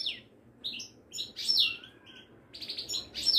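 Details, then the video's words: Moroccan goldfinch of the Widani type singing high, thin, twittering notes: quick descending slurs and tinkling trills in short bursts. "طائر المقنين الزين او الحسون الويداني"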